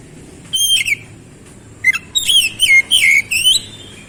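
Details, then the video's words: Oriental magpie-robin giving a quick gacor phrase: a few clear whistles, then a rapid run of bright, wavering notes that swoop up and down over about two seconds. "KICAUAN KEMBALIKAN KACER MACET BUNYI CEPAT GACOR"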